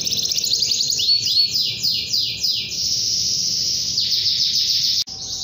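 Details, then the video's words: Long vigorous canary song directed at a rival: repeated swept notes in a quick rhythm, then an unbroken high trill, with a brief click-like break near the end. "KENARI GACOR PANJANG kenari memanggil lawan"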